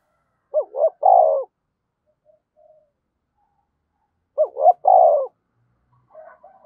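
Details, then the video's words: Spotted dove used as a decoy, in the calling style known as 'giọng thổ', urging and calling to draw wild doves. Two low three-part coos, two short hoots then a long throaty note, about four seconds apart. Faint softer notes between. "chim cu gáy thúc và gáy gọi cực đỉnh, chim cu gay kich boi nhanh noi"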